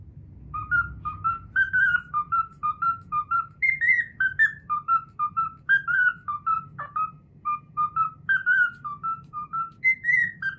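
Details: Captive cockatiel whistling the Pythagora Switch opening theme it has learned. Clear, pure whistled notes come in a steady bouncing sequence, about two per second, stepping up and down in melody over a low background hum.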